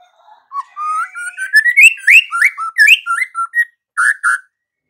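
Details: White-rumped shama: a long, steadily rising whistle flows into loud, warbling, up-and-down notes, ending with two strong, buzzy chirps.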